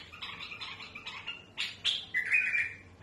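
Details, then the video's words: Harsh-voiced tamed bulbul song meant to tutor chicks: a soft rolling chatter, two sharp rough notes, then a bright sustained whistled phrase. "بلبل المطوعة سلسة وصوت خشن رهيب لتخريج الافراخ"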